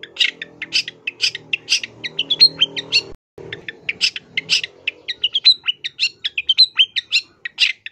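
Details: Energetic Long-tailed shrike song full of imitated phrases for training: steady rapid series of sharp chirps and short whistles, with a droning background hum that drops out midway.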